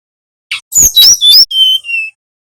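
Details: Bali brown-chested jungle flycatcher singing in the nyiul whistling style, played to teach young birds: one brief note, a burst of three ringing sliding phrases, then two pure, level whistles stepping down in pitch.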